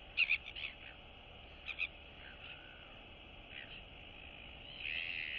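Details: Royal albatross chicks in their colony greeting and interacting with one another on 9 September 2022: short, faint squeaky call bursts, a cluster near the start and single notes later, over steady wind-like hiss.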